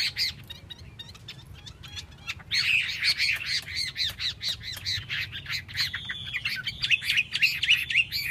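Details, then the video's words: Chinese hwamei song opening with quieter separated chips, then bursting into a loud continuous flow of rapid, slurred whistles and trilled notes that carry on strongly to the end. "Mi xoe canh tot cao cau"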